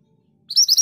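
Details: Scarlet minivet begins a rolling song after silence: about four loud, bright whistles sweeping upward in quick, even succession.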